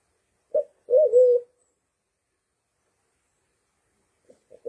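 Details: Sulawesi black pigeon call used as a hunting lure: a short low coo followed by a longer, slightly wavering coo, then quiet with faint soft notes at the end.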